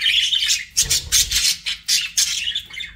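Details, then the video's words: Pet budgerigars chattering in a rapid, scratchy, high-pitched warble, with dense overlapping chirps and short bursts that come and go with brief pauses. "BUDGIE SOUNDS"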